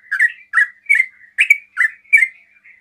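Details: Sooty-headed bulbul in quick 'ropel' song that provokes other bulbuls to answer: six loud, rich slurred notes in under three seconds, each a short dip and rise, ending in a soft trailing note.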